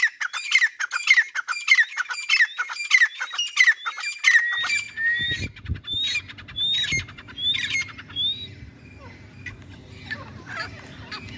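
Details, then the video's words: Grey francolin giving loud, harsh, shrill notes in a rapid run, about three per second, then fading into low rumbling background noise. "Gray Francolin Sound"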